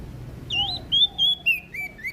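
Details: Short phrase from a prinia of Lombok: several drawn-out whistled notes, slightly wavering and stepping lower, each followed by a faint lower echo-like note.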